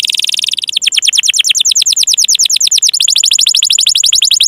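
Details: Canary singing, meant to prompt reluctant, stalled or juvenile canaries to sing: continuous very rapid trills of short downslurred notes, shifting in speed and pitch partway through.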